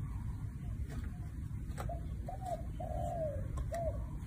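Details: A spotted dove gives soft, mellow coos: two short notes, a long drawn-out falling coo, then a final short note, over a steady low rumble.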